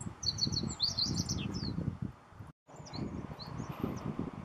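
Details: A meadow bunting at Miho Citizens' Forest delivers a rapid, high, sparkling phrase of clipped notes and trills, followed by a few fainter scattered chirps against low background rumble.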